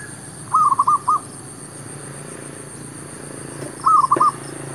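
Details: Zebra dove (merbuk, perkutut) used as a decoy to lure wild doves near a shop area. Two short bursts of rapid, staccato mid-pitched cooing, each about half a second long, about three seconds apart, over a steady low hum.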